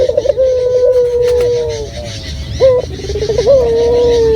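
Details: Local dove calling clearly as a lure: a long sustained coo, a short abrupt note, then a quick stuttering trill rising into another drawn-out even note.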